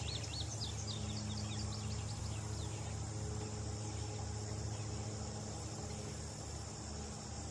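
Indigo bunting gives a quick run of high, sweeping chirps for about two seconds, then falls quiet under a steady low rumble and hiss.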